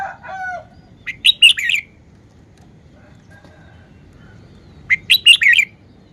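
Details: Red-whiskered bulbul singing its song phrase, two short bursts of loud, liquid whistled notes several seconds apart, with a softer lower warble at the start and a steady low rumble behind.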